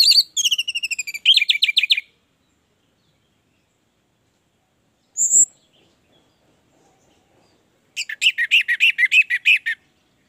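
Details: Orange-headed thrush singing in bursts: a rapid string of rich whistled and trilled notes, a single high thin whistle after a long silence, then another fast chattering run of repeated notes.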